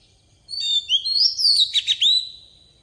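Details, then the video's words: Oriental magpie-robin singing a wild-voice phrase as a decoy for tutoring young birds: smooth rising whistles, then a quick series of four or five short, sharply inflected chirps before a final downslurred whistle. "Chòe than mồi hót giọng rừng cực hay"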